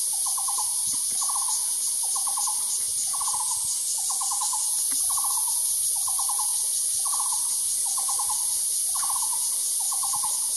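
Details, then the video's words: A Taiwan barbet repeats short, hollow rattling bursts of about six quick notes, roughly once a second, over a steady high drone of insects. "Calls of the Taiwan Barbet"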